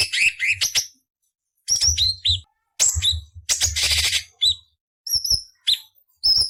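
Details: Training recording of a cucak cungkok with coarse chattering fills: a long buzzy, rasping burst in the middle, flanked by shrill whistled slurs and sharp chips, with gaps of silence.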